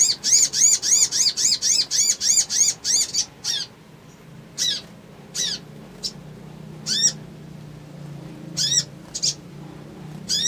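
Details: Male crimson sunbird in an agitated, challenging mood, calling for rivals and females: a rapid run of about a dozen high, thin, arched chirps, then scattered sharp single notes over a faint low hum.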